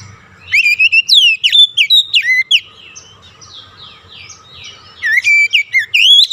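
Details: Oriental magpie-robin singing a lure song meant to stimulate stressed birds that stopped singing; a lively string of clear, swooping whistles, softer notes in the middle, then loud rapid phrases again.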